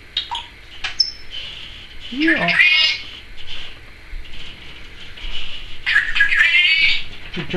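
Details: Pet Timneh African grey parrot talking, saying trick or treat among other words: raspy phrases, one long wavering drawn-out utterance near the middle and another burst toward the end, with a person's voice nearby.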